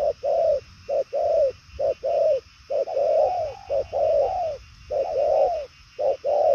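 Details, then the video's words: A purple-legged spotted dove coos steadily. Low hollow notes come in paired phrases, a short coo then a longer rounded one, repeated about once a second with brief silent gaps. "Đồng son chân tím gù quá tốt, nước xa tốc độ bài lối"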